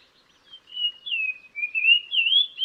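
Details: Dull-blue Flycatcher, an endemic of the central Sri Lankan hills, gives one unbroken, high, sweet warbling phrase for about two seconds, its whistled notes sliding up and down, with nothing else heard.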